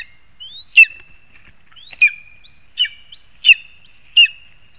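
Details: Lesser spotted eagle in a spruce, Zemgale, Latvia, August 2021, uttering five shrill yelping notes with a whistled upslur before each, spaced somewhat irregularly.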